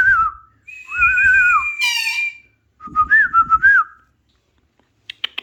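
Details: Alexandrine parakeet giving clear, tuneful whistles: a short dip, a long arching whistle and a higher sustained tone, then a wobbling trill-like phrase, with faint low rumbling beneath.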